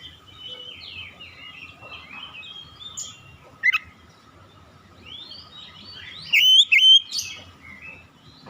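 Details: Oriental magpie-robin song: soft, scratchy, twittering warbles and a short sharp note, then near the end a brief loud run of clear whistled, up-and-down slurred notes, with a faint steady hum throughout.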